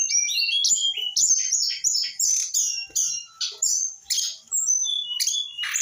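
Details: Brown-chested jungle flycatcher aged eight months, singing a rapid string of short whistled and chattering phrases, roughly one per second, varying in pitch with some harsh buzzy elements.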